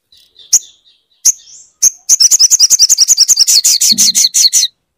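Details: Crimson sunbird, a kept bird, played to coax a silent bird into song: soft thin notes and three sharp high chips lead into a rapid, high, buzzy twittering trill of over two seconds.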